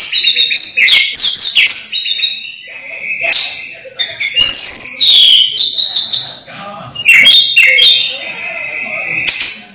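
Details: Caged orange-headed thrush kept at home, singing to lure reluctant thrushes into song: varied loud whistled phrases, sweeping and warbling up and down, with rapid chattering notes between held whistles.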